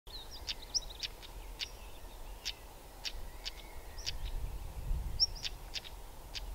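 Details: A European stonechat calls in spring 2020 in the Welsh Valleys in stunning weather, giving sharp, clicking 'tsak' notes like two pebbles struck together, several each second, with an occasional thin whistle over a low wind-like rumble.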